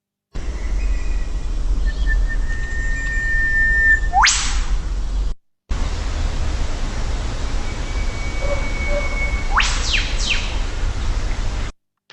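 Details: Eastern Whipbird: the male gives a long held whistle snapping into a sharp upward whip-crack. The female then calls directly after him, forming a male–female duet.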